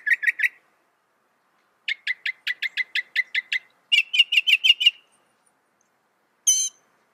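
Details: Northern mockingbird song in distinct bursts: three quick notes, then a rapid even series of about ten clipped chips, then a harsher rattling run, and finally one isolated buzzy note.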